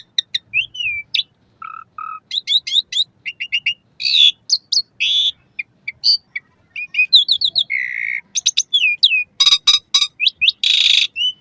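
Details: Asian pied starling song used to train caged birds, played morning and evening: a rich medley of whistled slurs, harsh buzzy bursts and sharp chips, with low whistled notes near the start, packed into dense irregular phrases.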